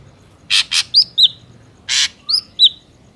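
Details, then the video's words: Ashy drongo sound used to lure birds into traps: a pair of harsh rasps and two slurred whistles, then a single rasp followed by two more whistles. "PANCINGAN SUARA BURUNG SRIGUNTING AMPUH"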